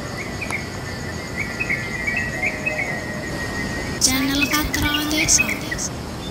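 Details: Wild Yellow-vented bulbul singing in the morning around a village, one of many calling to each other; a steady insect whine runs throughout, then a bright, bubbly burst of quick liquid notes breaks in halfway.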